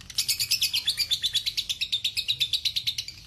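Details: Lovebird in a masteran recording delivering ngekek panjang, a long trill: fast, evenly spaced shrill pulses about three a second, bright and high throughout the short stretch.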